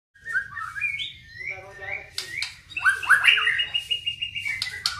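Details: White-rumped shama building up its song: varied whistled phrases sliding between notes, stacked harmonic tones, then loud, bright rising and falling whistles with sharp clicks, over a faint low hum.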